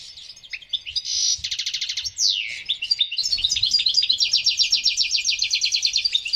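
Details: Excited male European goldfinch song to stimulate females for mating: a rasping buzz, a rapid burst of repeated notes, a sweeping downward slur, then a long run of quick, evenly pulsed twittering.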